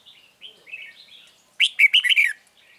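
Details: Red-whiskered bulbul singing during trapping of a wild bird on 9 March 2020. Soft, slurred whistled notes lead into a loud, rapid burst of bright warbled phrases lasting under a second, then quiet notes trail off.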